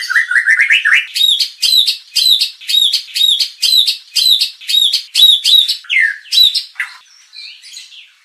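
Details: White-rumped shama lure song for provoking contest birds into singing their full repertoire: a few rising whistled sweeps, then one sharp, bright phrase repeated about three times a second, ending in softer scattered notes.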